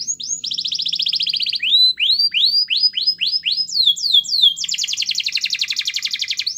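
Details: Gacor canary song used as a lure to make a quiet canary sing: a high buzzy trill, then a series of rising swept whistles, ending in a fast dense rattling roll.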